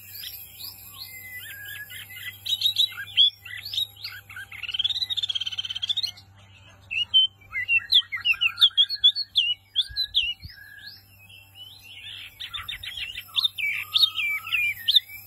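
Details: A wambi mini white-eye sings energetically for a long stretch. Fast, high, scratchy twitters alternate with looping whistles, with a short pause midway and a constant low electrical hum.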